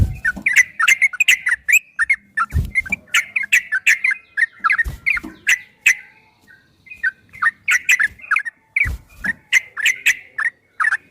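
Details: Yellow-vented bulbul singing a long, rapid 'ropel' style song used as a training recording: bubbly, liquid warbled notes in quick bursts, repeated with short pauses, and a few low thumps.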